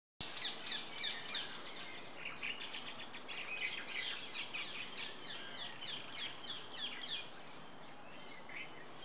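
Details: Wild flock of rose-ringed parakeets, including a rare wild blue Indian ringneck, gives harsh screechy chirps in quick overlapping bursts, several a second, over a steady outdoor hiss.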